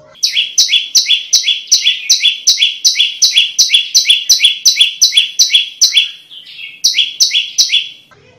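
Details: Prinia (prenjak lumut) singing, meant for tutoring cage birds and luring wild ones: a long, rhythmic stream of sharp stepped chirps, a short softer warble, then a final fast burst.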